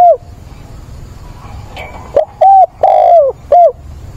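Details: Mature-voiced decoy spotted dove calling to find a mate, 17 September. After a quiet, murmuring start, a loud phrase of four round coos follows, the third note longest and gently falling.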